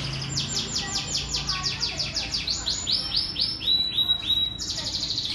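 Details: Canary singing: rapid trains of bright, high, repeated notes, each series a fast rolling trill that changes pitch and speed every second or so, with a faint low hum underneath.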